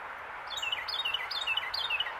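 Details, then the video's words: Singing Carolina wren perched on a branch, Pennsylvania, January 2024: repeated rich whistled phrases, each a quick downward slur, roughly four in two seconds, over continuous low background hiss. "Carolina wren sitting on branch singing"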